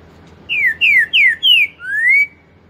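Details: Green-winged saltator singing in the 'pantaneiro 4 nota boi' style: four loud, clear whistled notes, each sliding downward, then a longer note rising slowly. The phrase is delivered once against a quiet background.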